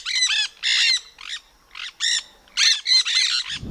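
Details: Nanday parakeet, a very loud bird whose chirps can reach 155 dB, gives harsh, grating screeches: about nine loud bursts in under four seconds, some drawn out and some clipped short.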